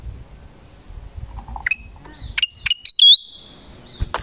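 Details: Black-crested bulbul calling to draw in wild birds: a few loud, clear whistled notes, some sliding upward, bunched near the middle, then a final sharp note, over faint low rumble.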